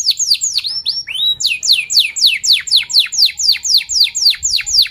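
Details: Energetic canary singing "cuit cuit" notes used to draw young canaries into learning the song: a couple of slurred whistles, then a regular run of loud, steeply falling chirps repeated roughly four per second.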